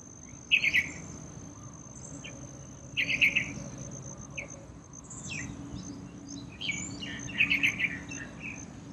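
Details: A yellow-vented bulbul bathing in a small water pool in a courtyard gives short, bubbly chattering bursts three times, a few seconds apart, over a steady high insect drone.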